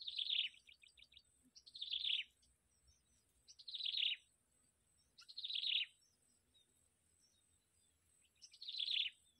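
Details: Yellow bittern at a nest where the mother feeds her young: short bursts of high, rapid chirping notes, repeated roughly every two seconds, over a faint steady high-pitched whine.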